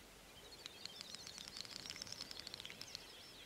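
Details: Great snipe males lekking at night in late spring on a European swamp or meadow to attract females: a fast, quiet murmuring stream of dry clicks mixed with high twittering and bubbling notes, running several seconds over faint hiss.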